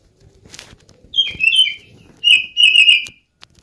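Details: Cat-like lure song of an Oriental magpie-robin, intended to prompt other birds to sing; two phrases of loud, slurred whistles, the second longer and warbling, over soft background rustling.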